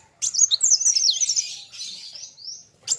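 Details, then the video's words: Sunbird (kolibri wulung) singing hard against a rival: one fast burst of shrill, zigzagging whistled twitters that slows into a thinner trailing phrase, then a short sharp note at the end. "BURUNG KOLIBRI WULUNG NARUNG GACORR KETEMU LAWAN SAMA" GACORR"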